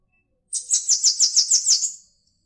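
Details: Bananaquit giving a short, very high-pitched buzzy trill of about eight rapid pulses lasting under two seconds, with nothing else audible.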